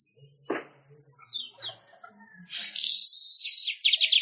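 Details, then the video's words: Weaver (manyar) song recorded as a long master track for training songbirds: scattered soft chips lead into a sustained high buzzy sizzle about a second long, ending in a quick burst of rapid pulsed notes. "Suara Ocehan Burung MANYAR"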